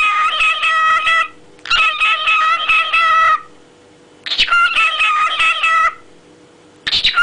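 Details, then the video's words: Kesha, a pet parrot, sings his song in four harmonic, nasal bursts about a second long, each a rich voice-like warble with steady tones, with short pauses between. "Попугай Кеша и его песня"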